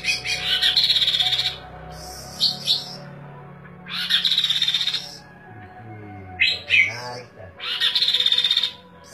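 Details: Kaso-kaso, Kidangan or Tepus glagah in lively song for training caged birds; loud bursts of rapid buzzy trills and sharp chirps, each about a second long, repeated with short pauses, over a low hum and faint murmur.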